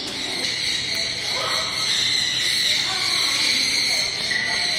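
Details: Striped owl kept at a bird park in Kakegawa, Japan, born 2016, calling without pause: a sustained high, wheezy hiss running through the whole stretch, with faint murmuring in the background.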